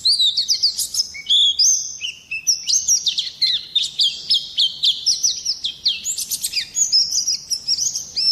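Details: Oriental white-eye singing a long, fast warble of high thin whistled notes, sliding up and down, tumbling in quick phrases with brief gaps throughout.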